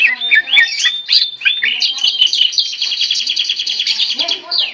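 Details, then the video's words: Tame greater green leafbird kept singing while handled, mixing rising whistled slurs with a long buzzy, rapidly pulsed rattle near the end. "Burung Cucak Ijo Jinak Gacor Meskipun Di Pegang Tangan"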